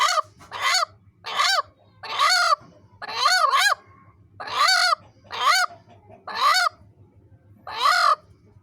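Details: Hen making a dog-like sound to protect its egg: a series of about nine loud, harsh, honking barks, some doubled, repeated roughly every second with brief pauses between.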